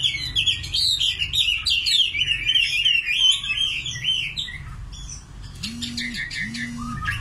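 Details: Common nightingale pouring out a rapid warbled phrase of looping whistles, then pausing before sharp clipped notes; two short low droning tones sound near the end.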